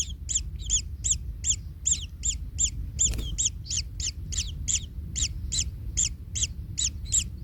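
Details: Kingfisher chicks stepped on by the parent in the nest keep calling with harsh arched chirps, between two and three a second, with one brief knock midway and a soft low drone.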